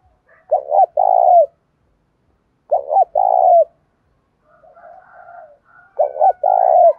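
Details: Spotted dove, 'đồng pha' voice, singing to urge fighting and spark song from cage birds. Three low phrases, each a stuttered pair leading into an extended coo, with a soft rambling murmur in the gap before the last.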